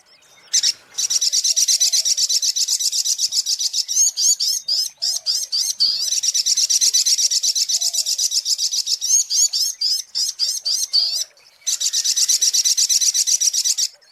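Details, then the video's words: Sunbird lure recording: dense, high, shrill trilled song of rapid buzzy pulses, about four per second, running almost continuously, with a short break near eleven seconds and faint lower chirps underneath. "SUARA PIKAT mp3 BURUNG SOGOK ONTONG"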